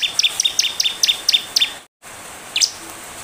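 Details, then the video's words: Bar-winged prinia (ciblek) lure song for prompting a quick reply: a brisk run of thin, high ticking notes for under two seconds, a sudden cut, then one lone chirp. "Ciblek gacor, pancingan ciblek bahan biar cepat merespon"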